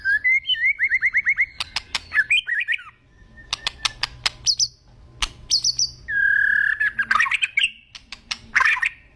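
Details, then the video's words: Agitated white-rumped shama song mixing rapid repeated whistled notes, bursts of sharp clicks, high buzzy phrases, and a loud, harsh warbling flourish near the end. "BAHAYA NANTI MURAI MU NGAMUK"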